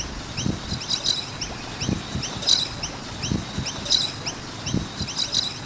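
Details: Near a skate park, noisy miners keep up a steady stream of short rising chirps, high and bright. Louder clustered bursts come roughly every one and a half seconds, over low knocking thuds.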